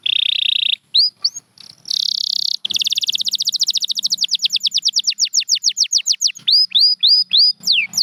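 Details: A canary opens with a steady buzzing trill and sharp upslurred chips. Next comes an accelerating, tightly packed run of descending whistles that loosens into slower, hooked notes. Canary song for listening and training.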